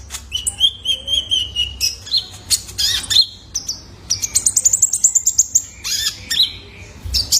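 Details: Young male Kolibri Ninja calling for cage-bird training: a varied run of high whistles, a steady trill, sharp chips and a fast high rattling series near the middle.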